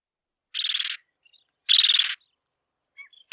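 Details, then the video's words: Bridled tern giving two harsh, raspy, buzzing calls about a second apart, each roughly half a second long with a grating texture, followed by faint short chirps; no other sounds. "Крачка бурокрылая. 5 часть. Голоса птиц"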